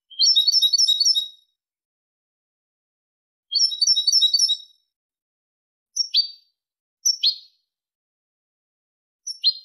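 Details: European goldfinch song in the Malaga style, used for tutoring goldfinch and hybrid chicks: fast tinkling trilled phrases repeated after a pause, then single sharp notes sliding downward, in clean silence.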